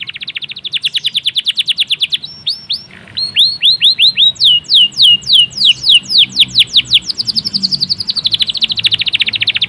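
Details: Local-type canary, described as gacor (singing persistently), performing a varied song: fast trills of downward-sweeping notes, a brief pause near three seconds, then loud repeated descending whistles and a long rapid rolling trill to the end.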